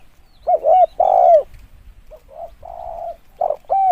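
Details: Spotted dove used as a decoy bird: loud two-part hooting coos, the second drawn out and falling, then softer murmured coos and a further loud pair; no other birds audible.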